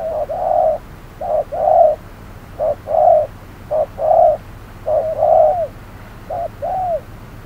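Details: Decoy spotted dove in a trapping setup at midday heat, cooing in short-long pairs; the rhythm loosens near the end, with the last pairs softer and more arched.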